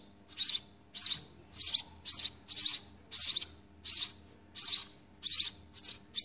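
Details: Harsh, buzzy begging chirps from house sparrow chicks in the nest at feeding time, repeated evenly about every 0.6 seconds with faint low background noise.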